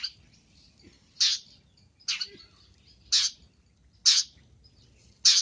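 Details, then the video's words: Luring call of a long-tailed shrike: a run of rough, scratchy rasps about once a second, each bursting loud and broad, with brief faint twittering in the gaps. "Suara untuk pikat Pentet"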